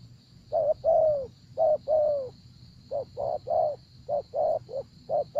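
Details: Spotted dove in a decoy trapping session: two paired coos with long falling second notes, then a faster run of shorter, choppier coos. A steady high whine is heard throughout.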